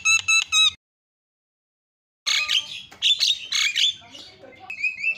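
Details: Three quick harmonic squawks from a Javan myna, played as a lure to make other birds call, then a pause of silence before a loud jumble of harsh chatters, whistles and scratchy notes.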